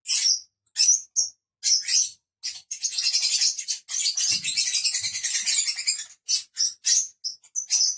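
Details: Five caged pet lovebirds: clipped high chirps open the sequence, then a sustained run of fast, buzzy twittering for about three seconds, followed again by short sharp squeaks.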